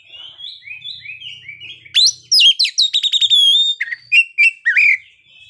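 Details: Oriental magpie-robin singing a full varied song at midday, used to provoke other birds: soft warbling opening, then loud sharp whistles, clicks and rich upslurred notes in bursts.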